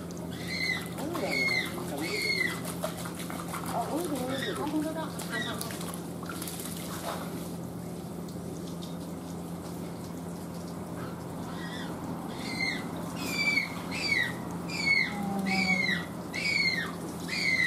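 A young Humboldt penguin gives thin, high peeping calls in quick repeated bursts, still childlike in tone.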